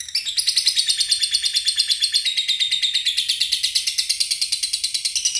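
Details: Excited lovebird delivering a sustained run of high, rapid ticking notes, about three per second, steady and unbroken for over five seconds, with no other sounds.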